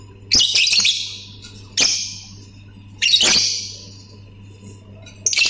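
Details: Lovebird in ngetik plus ngekek form: loud, grating, screechy chatter bursts arriving every second or so, each fading into a hiss, with quieter sharp clicks between.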